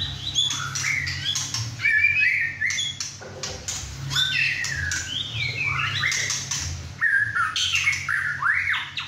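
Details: Six-and-a-half-month-old male White-rumped shama singing hard indoors alongside two other caged birds, fresh from his first moult; harsh squawks mixed with whistled slurs, with overlapping voices and a constant low background drone.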